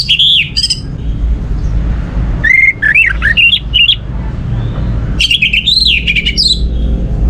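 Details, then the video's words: Song of an orange-headed thrush used as a lure to get other birds singing: short clear whistles, then a run of rising and falling warbled notes, and a final rich warbling burst over steady low hum. "Pancingan Burung Anis Merah ini untuk merangsang burung lain jadi gacor"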